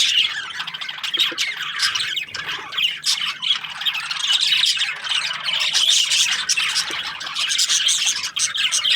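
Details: Several budgerigars chirping in the morning: a dense, continuous wash of high chirps, squeaks and warbled twitters overlapping without pause, rising and falling in loudness over nine seconds.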